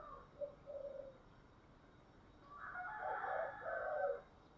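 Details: Spotted dove song of the 'giọng thổ' type, recorded against steady hiss: a few faint short coos, then a louder, rougher, drawn-out two-part coo near the end.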